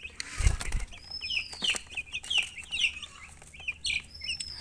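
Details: A dull thump opens the recording, then baby chickens chirp with rapid, shrill, down-slurred peeps. Faint sustained high whistles sound near the start and the end.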